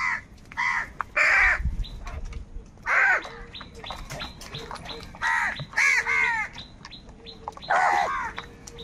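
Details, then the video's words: Crows fighting for food: repeated loud, raspy caws delivered in irregular bursts, sometimes two or three close together, with a thin chatter of small chirping birds underneath. "Crow bird live crowing sounds - All types of crow sounds | Crow bird unity anger and sounds"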